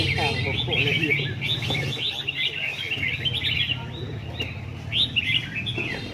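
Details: Red-whiskered bulbul singing at a singing competition in Vietnam: lively, fast bursts of clear whistled and warbled phrases, repeated almost continuously. A low steady hum runs underneath, with faint voices in the background.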